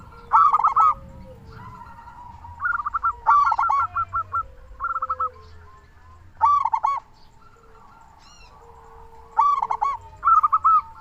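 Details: Local zebra doves calling, used to stimulate caged doves to sing: loud bursts of quick rolling coos at intervals of about three seconds, alternating with softer coo runs from other birds.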